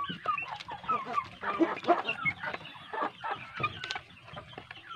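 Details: Big domestic chicks raised for meat on quality feed: a busy chorus of shrill peeps and chirps, several clear falling whistled notes standing out over a steady murmur of softer cheeping.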